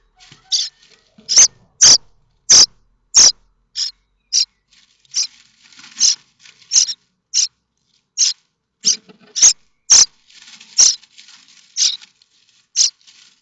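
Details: Common starling chicks in their nest at Théding, France, 7 May 2024, begging while awaiting parents with food: a long series of short, scratchy, high rasping bursts, some louder than others, with soft rustles between.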